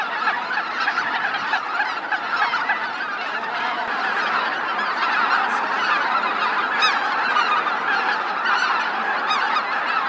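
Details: Greater white-fronted geese coming in to roost at Miyajima-numa, Hokkaido, Japan, 2016; a thick, unbroken wall of many honking voices, calls overlapping so densely that single notes rarely stand apart.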